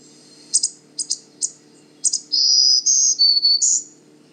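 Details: A male Black-throated Green Warbler, a long-distance migrant arrived in late April, at Manchester Cedar Swamp Preserve, New Hampshire, gives sharp high chips, then a run of buzzy, drawn-out 'zee zee zoo zoo zee' notes, over a faint low hum.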